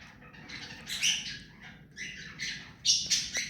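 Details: Rose-ringed parakeet, hand-tame, making grating, buzzy squawks that build in loudness, ending with two sharp screeches.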